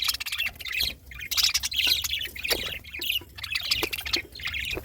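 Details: Happy pet budgerigars (Melopsittacus undulatus) eating and playing, chattering in a steady stream of high, scratchy chirps and rapid warbling notes.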